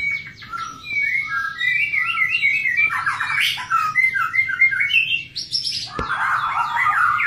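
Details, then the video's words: White-rumped shama while mating, delivering rapid chattering whistles that build into a harsh noisy burst, then a sharp click. "Begini kalau murai batu kawin...???!!"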